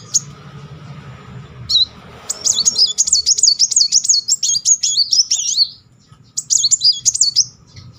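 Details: A Muncang sunbird, recorded as a singing lure, delivers a fast, high, zigzagging trill lasting about three seconds, then a shorter burst near the end. A faint low hum runs throughout.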